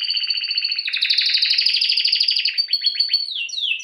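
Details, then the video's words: Singing canary (Serinus canaria) for training: continuous dense rolling trill with a harmonic double-toned quality, shifting rhythm, then a few fast descending notes and a final downward whistle. "Bird song | Canary singing| training bird | best canary | Serinus canaria"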